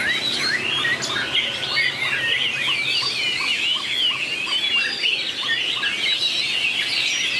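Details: White-rumped shama singing in a duel, 2019: varied whistled phrases over a series of short, evenly spaced lower clicking notes in the middle, then continued bright twittering slurs.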